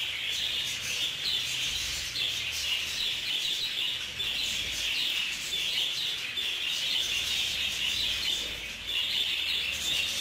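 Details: A crowded budgerigar aviary during a clash between the birds: ten seconds of lively, overlapping high chirps and twittering squeaks, steady and unbroken, with bursts of louder notes.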